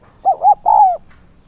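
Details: A lure spotted dove in 'son' voice, calling 'thúc' and 'gáy gọi' to draw in wild doves: one mellow cooing phrase of two short notes and a longer, slightly falling final coo, clean and loud.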